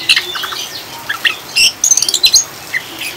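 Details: Oriental magpie-robin giving fast 'ngriwik' chatter meant to lure caged birds into steady singing, mixed with rain: dense clicks, buzzy fragments and piercing high whistles in quick succession, ending with a few short notes.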